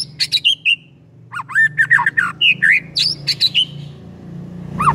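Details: Energetic white-rumped shama song played to trigger singing in another shama: rapid mix of whistles, swoops and harsh notes in bursts, with a steady low hum underneath.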